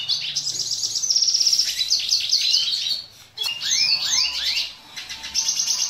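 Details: A captive dilute-mutation red siskin, recorded as a master song for young birds to learn, sings a fast, twittering song of high buzzy trills and chirps, broken by sweeping slurred notes, almost without pause.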